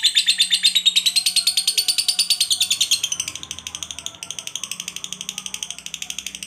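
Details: Long ngekek trill from a fighter lovebird, meant to draw other lovebirds into singing: fast rattling high-pitched pulses run continuously for over six seconds, dipping slightly in pitch and softening after the third second, with a faint low hum behind.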